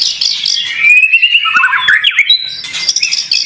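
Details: Contest fighter white-rumped shama singing a long rising pure whistle that breaks into quick looping warbled notes, then sharp high chattering phrases.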